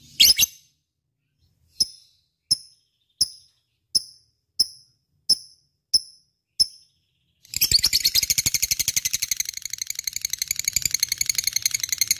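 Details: Lovebird, 'gacor' singing for prompting other birds: a series of about eight evenly spaced sharp, ringing ticks, followed by a continuous rapid, rattling high chatter.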